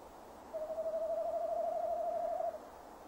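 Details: Calling male tawny owl recorded by a nest box camera, 15 December 2015, 17:10. After a short pause, a single long hoot with a rapid tremble holds a level pitch for about two seconds.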